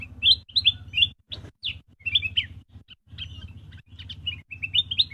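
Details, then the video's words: Black-crested bulbul chirping: bright, rapid chirps and short warbled notes in quick irregular bursts, with a steady low hum underneath. "black-crested bulbul chirping sound"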